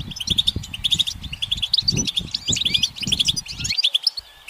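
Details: Perched goldfinch singing in sunshine: fast runs of bright, liquid twitters and chirps, strung closely together, over faint low background rumble that stops near the end.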